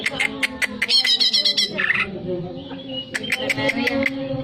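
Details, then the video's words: Greater green leafbird song, used to raise breeding excitement: clicking notes lead into a fast buzzy rattle, a rough descending note, then scattered clicks and soft whistles above a low drone. "Cocok Untuk menaikan emosi birahi cucak ijo"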